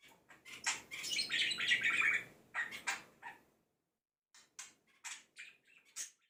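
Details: Budgerigar whose song imitates birds such as the red-whiskered bulbul, the white-eye, the laughing lovebird and quarrelling sparrows; a busy chattering warble, a short silence, then scattered high chirps.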